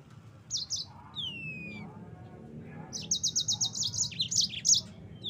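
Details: Rolling song of a yellow-fronted canary, a lure recording for caged birds: a few chirps and a long falling whistle, then a dense run of evenly spaced sharp notes building into varied high twitters.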